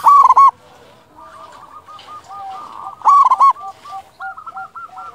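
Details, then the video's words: Loud local Zebra Dove singing as a lure: two powerful rolling coo bursts, one at the start and one midway, each followed by strings of gentler repeated cooing notes. "Perkutut lokal gacor suara besar cocok untuk pancingan burung perkutut agar bunyi"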